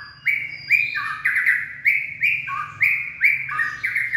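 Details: White-rumped shama (Copsychus malabaricus) singing and displaying in the late afternoon, 18 February 2024: rich, fluty whistled phrases, each rising then falling, about every half second with bright overtones; faint low hum.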